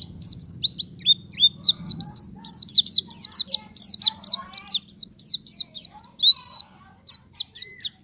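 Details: White-eye (pleci) in full, energetic song, used as a lure to set other white-eyes singing: a fast run of sharp high chirps and short down-slurred whistles, briefly held on a thin note, over a faint low hum.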